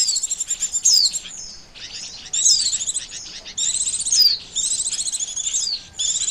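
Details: Lure call of the Oriental white-eye, known locally as pleci, played to trap birds: fast high chattering phrases with repeated sharp falling whistles, broken by short gaps roughly every second.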